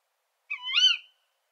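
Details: A single 'kuwik' call from a female Tawny Owl, a grating, nasal screech that starts sharply, climbs, peaks loudly near its end and then fades. No other sounds.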